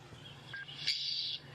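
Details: A Yellow-billed Oxpecker call played at sunrise: a brief, high-pitched hissing rasp after a short thin note, over faint low hum. It is noticeably higher-pitched than the deeper, raspier Red-billed Oxpecker.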